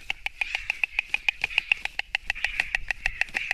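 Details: Fighting white storks, 29 March 2024, Latvian live nest camera: rhythmic dry clacking rattle, evenly spaced sharp knocks at a steady quick pace.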